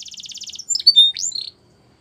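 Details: Canary singing: a quick half-second trill of bright repeated high notes, then a handful of varied whistled notes and a sharp rising sweep, ending abruptly in silence.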